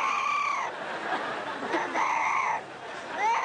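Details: Parrot imitating a desperately crying baby, giving long wailing harmonic cries that hold steady then fall, repeated twice with a rising squeal at the end.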